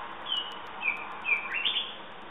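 A common nightingale sings a brief phrase of clear, high whistled notes, a few slurred downward and one sweeping upward, over a steady background hiss.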